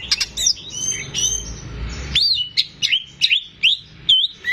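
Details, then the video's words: Greater green leafbird singing in a cage to prompt untrained birds: high chirps over faint background, then loud upslurred whistles and twisting notes spaced roughly every third of a second. "CUCAK IJO GACOR || PAS BUAT PANCINGAN BURUNG BAHAN"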